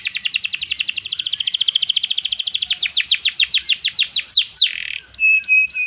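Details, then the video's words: Caged canary singing a long rolling song, used as a training recording for other songbirds: rapid trills of short notes repeated about four per second, speeding and dropping in pitch, ending in a harsh burst and a steady high whistle. "Kenari Gacor Panjang Ngerek Ngerol Nembak Mantap Buat Masteran dan Pancingan | Bird Singing"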